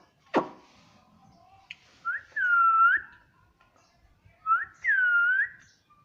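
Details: Talking parrot, known for saying "mummy", gives a sharp click and then two smooth, pure whistled notes, each about a second long, arching gently and spaced roughly two seconds apart.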